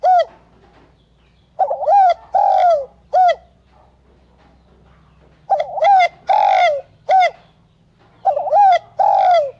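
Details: Spotted dove calling in bursts: short clipped notes and curved, falling coos grouped in clusters separated by silent gaps, some notes sharply upswept then dropping.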